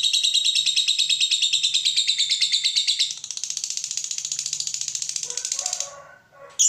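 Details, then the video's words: Lovebird giving its long ngekek chattering trill, used to stir other lovebirds into song: a fast, even, rattling trill held for about three seconds, then a softer continuing rattle and a few brief chirps. "Lovebird ngetik mompa lanjut Ngekek fighter/pancingan lovebird fighter"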